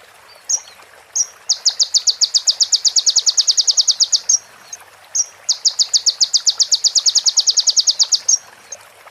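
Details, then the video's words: Sunbird in a masteran training recording for other songbirds, filled with female prinia and ciblek phrases: two long, rapid, even trills of high buzzy notes, each lasting about three seconds, with short separate chirps between them. "MASTERAN KONIN FULL ISIAN PRENJAK BETINA SAMBUNG CIBLEK BREN JERNIH JEDA ORIGINAL DARI SUARA KONIN"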